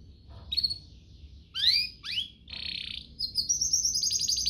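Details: Canary song with an ornate, luxurious style, used as a master song for young canaries and to coax canaries into singing. Brief high whistles, then two quick upward-sweeping slurs, a buzzy rolled segment, and a fast, very high pulsed trill.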